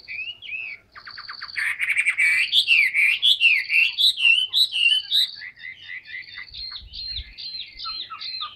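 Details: Caged, tamed Chinese hwamei of large build in full song, rapid rhythmic chopped notes building into loud looping whistles, then a rattling stream of quick sweeping phrases.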